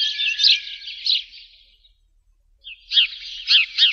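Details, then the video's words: Sparrow giving a run of high, buzzy chirping notes that fade out, then after a short pause a second burst of rapid, sharp chirps. "best sound of sparrow"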